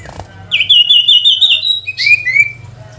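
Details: Sooty-headed bulbul in full song to draw a rival: a high, wavering whistled trill slowly rising, followed by two brief sliding whistles, over a steady low hum.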